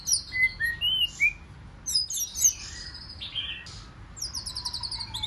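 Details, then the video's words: White-rumped shama giving 'forest voice' song, played to spur wild-caught shamas into contest singing; clear whistled notes and slurs, then rapid high chattering trills near the end, with gaps of quiet between phrases. "Chòe Lửa Hót Giọng Rừng Kích Chòe Lửa Bổi Hót Đấu"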